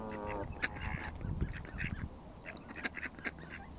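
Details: Canada geese on a bank, a harsh honking burst at the start followed by scattered nasal honks and clucks over a low rumbling background.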